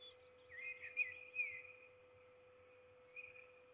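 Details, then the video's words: Impatient peregrine falcon waiting for food at Trzebież, Poland, 7 May 2021: a drawn-out harsh wailing call with rasping pulses, then quiet and a shorter rasp near the end, over a constant hum. "Pinia się niecierpliwi a Forest nic nie przynosi"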